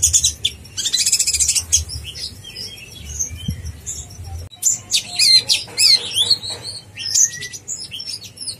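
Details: Konin blorok, used as master song for contest birds, singing energetically: dense, very high twittering with rapid thin chirps, sharp slurred notes and short trills in near-continuous flow, with a brief gap midway.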